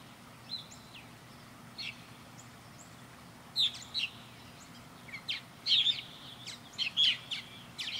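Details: Backyard purple martins orbiting their birdhouse, a few isolated chirps early, then a cluster of gurgled, croaking notes in the second half over a faint low hum.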